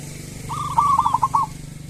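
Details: A single zebra dove phrase in the local kerot and bekur style, played as a lure for doves reluctant to sing: quick stuttered coos rising in loudness, over a steady low hum.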